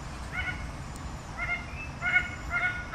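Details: Red bird-of-paradise calling in quick succession: several clipped, nasal, harmonic notes, the last ones coming in a tight cluster over a faint background murmur.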